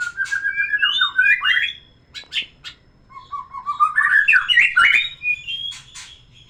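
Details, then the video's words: Shama song meant to arouse a female for breeding: varied whistled phrases rising and falling, mixed with harsh chattering clicks and squawky notes, then a long rich warbled run and scattered sharp ticks. "terapi kicauan murai batu biar pancing birahi betina"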